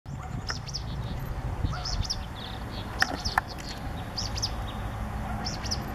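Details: Pale-breasted Spinetail (Synallaxis albescens) at Capilla del Monte, Córdoba, in January 2016, giving a thin, high two-note call repeated about every second, over a low background rumble and a few sharp clicks.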